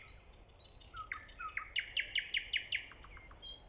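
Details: Nightingale song recorded in early spring: soft slurred whistles, then a clear run of about eight sharp repeated notes and a few trailing ones, over a steady hiss.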